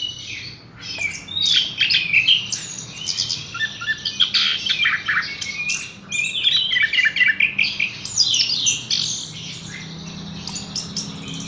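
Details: Dense, continuous Horsfield's bush lark song full of rapid high chips, buzzy notes and short trills, rushing along with little pause.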